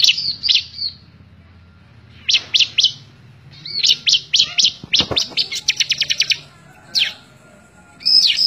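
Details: Bar-winged prinia in lively, persistent song, recorded in May 2017 as a tutor recording for training other birds: high bursts of sharp, rapid ticking notes alternate with short whistled phrases, separated by brief pauses.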